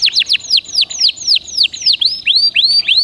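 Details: Canary singing to prompt a caged bird: a steady series of loud, down-curving whistled notes, about four per second, with overlapping high sweeps.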